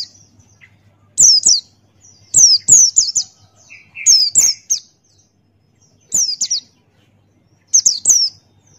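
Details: Male Buxtoni white-eye singing keenly in 'ngalas' fashion with beak open, used as a tutor song. Groups of two to three shrill downslurred chirps recur irregularly across nine seconds, with one lower, softer buzzy note among them.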